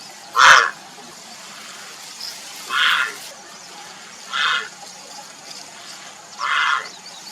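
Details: Grey heron (Ardea cinerea) calling for a mate, giving four rasping, hoarse croaks spaced about two seconds apart. The first croak is loudest, over a quiet hissing background.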